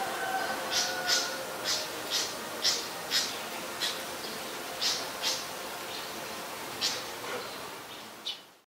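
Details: In Ubon Ratchathani, Thailand, on 25 November 2019, a Malaysian pied fantail, a very common resident, gives a string of thin, high-pitched squeaky notes at irregular intervals, some paired, over faint background hiss.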